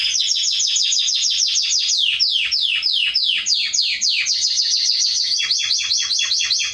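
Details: Atlantic canary singing, used to train young birds: a fast run of high descending swept notes repeated several times a second, later breaking into quicker, tighter sweeps.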